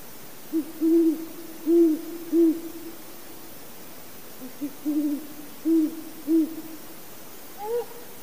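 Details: Great horned owl giving deep, soft hoots in two rhythmic series of about four notes each, with a short pause between them and a slightly higher hoot at the end; quiet background otherwise.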